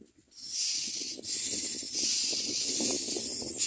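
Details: Common mynas at the nest, very hungry, producing a nearly unbroken high, breathy hiss that briefly dips twice before resuming, with soft low rumbling underneath.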